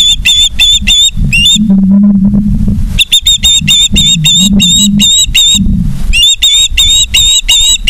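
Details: Osprey at its nest in Charlo, Montana, recorded by a live cam on 09/03/2023 at 18:54: long rapid series of thin, high whistled chirps, about three per second, over a heavy low rumble.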